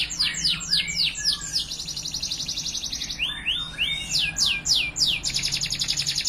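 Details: A male Timbrado Español canary sings a fast, bright training song: quick falling whistles, a long buzzy high trill, then rising notes and another trill, over a faint low hum.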